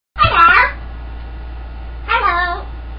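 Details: Pet green-winged macaw indoors, said to sing, talk, cluck like a chicken and wolf whistle; two harsh, voice-like harmonic calls, one at the start and another about two seconds later, over a steady low room hum.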